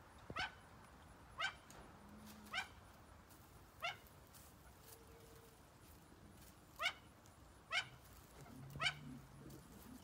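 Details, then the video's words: Malayan great argus pheasant, one of a young pair kept in a private collection: crisp, clipped descending notes rich in overtones, given seven times over ten seconds in irregular spacing, over faint low murmuring sounds. "Malayan great Argus"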